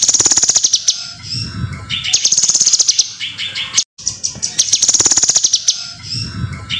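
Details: Kinoi in full song as a training recording for other birds: high buzzy trills of about a second alternate with chattering phrases, looping regularly, with one brief dropout in the middle.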